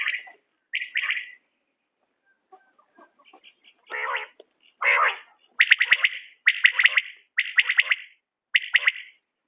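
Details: Common quail repeating crisp triple-note phrases, sharp and bright, delivered in a quickening series of about five phrases near the end after a couple of rougher, lower bursts and a quiet stretch.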